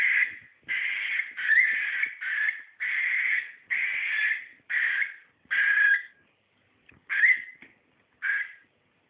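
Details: Cockatiel reacting to green socks it apparently dislikes, calling in a near-continuous run of rasping, screechy notes, each under a second long, then slowing into a few separate shrieks with gaps; faint clicks in the background.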